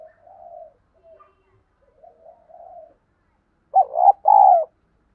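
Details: Lure spotted dove with a field-type voice, used for stimulating freshly caught birds to coo: several faint, low murmuring notes, then one loud phrase ending in a sustained hollow falling coo.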